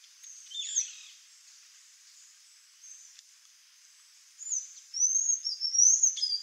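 Sayaca Tanager giving high, thin squeaky notes that build into a rapid, twittering run of sharp chirps near the end, over faint background hiss.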